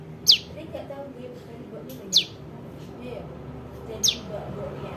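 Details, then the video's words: ['Prinia fledgling calls played as a trapping lure: three sharp, high downslurred notes roughly two seconds apart, with soft background noise between them.'] "SUARA PRENJAK LUMUT [ ANAKAN ] AMPUH UNTUK PIKAT"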